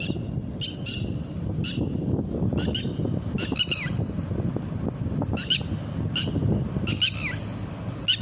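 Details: Red-wattled lapwing (Vanellus indicus), call.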